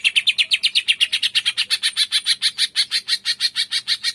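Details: Green leafbird giving a rapid 'tembakan' burst used to provoke other birds into singing: loud, high chirping notes fired in a fast, even series of about two per second, with no other clear sounds.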